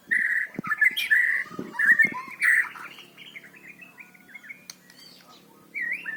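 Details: White-rumped shama song in loud volume for stimulating stalled singers: rich, warbled phrases at first, then softer descending chatter, a quiet gap, and a final whistled note; light knocks in the background.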